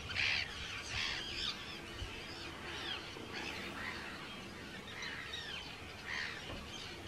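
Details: Arctic terns at a crowded breeding colony, Rottumerplaat, the Netherlands, early June 2023: scattered sharp, squealing calls stand out about once a second over a steady background of distant colony chatter.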